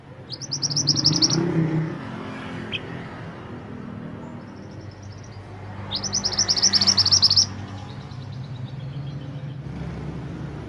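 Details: Mantenan gunung bird used as a master song for training songbirds, giving two bursts of rapid high trilled notes, each about one and a half seconds, separated by a pause with faint low background rumble.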